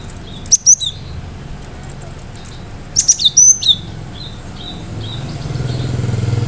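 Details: Cinereous tit in full song, sharp bursts meant to provoke other birds into answering: two quick clusters of high whistled and clicking notes, then a run of softer repeated downslurred chirps over a low rumbling background.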